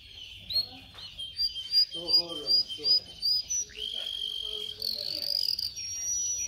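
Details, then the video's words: Canary singing, recorded for training canaries to sing: thin high whistles and chirps strung together, with a few lower warbled notes. Faint background murmur is also present. "canario canary song"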